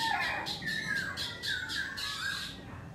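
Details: Black laughingthrush song during its dance: a string of slurred, wavering whistles over a hissing background, with rhythmic rasping bursts.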